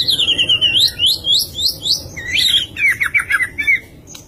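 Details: White-rumped shama in full varied song: rapid looping high whistles and trills without a break, dropping into lower rolling warbled phrases, ending in sharp clicks.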